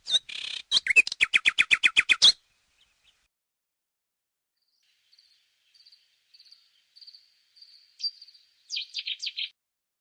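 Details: Common nightingale (Luscinia megarhynchos) delivering a fast loud rattle of repeated notes for two seconds, then silence, faint thin high notes, and a short closing burst of chirps.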